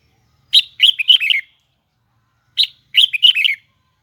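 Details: Huế-type red-whiskered bulbul sings its high, doubled, twisting voice in two clean, matching phrases. Each phrase is a sharp opening note followed by a tumbling run of bright warbled notes, with silence around them.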